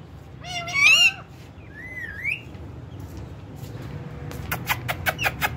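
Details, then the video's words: A pet talking rose-ringed (ringneck) parakeet named Alex gives a short, wavering, speech-like phrase, then a rising whistle and a quick run of sharp clicks, over a low traffic hum. "Talking parrot"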